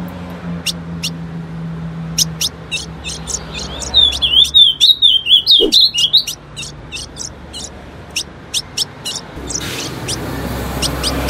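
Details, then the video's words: Singing female ultramarine grosbeak, aimed at getting males to sing: scattered sharp chips, then a loud rippling whistled warble for about two seconds, then more spaced ticks against steady background noise. "CANTO DO AZULÃO FÊMEA"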